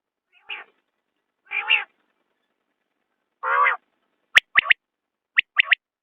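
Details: Common quail calling: a few harsh, rasping nasal notes, then sharp whistled three-note phrases, a single clipped note followed by a quick pair, in an otherwise quiet background.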